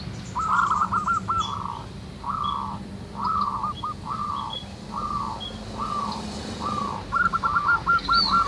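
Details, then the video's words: Local wild zebra doves singing in a noisy natural setting: drawn-out blocky coos repeated at intervals, ending in a quick run of hooked notes, over a low steady hum and faint high chirps. "SUARA BURUNG PERKUTUT MANGGUNG RAMAI DI ALAM"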